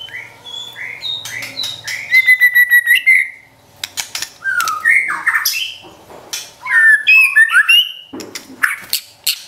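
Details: White-rumped shama, a caged pet bird's training song, delivering varied whistled phrases: a fast rattling trill, swooping slurred notes, sharp clicks and bursts of harsh squawky notes, with a faint background hum.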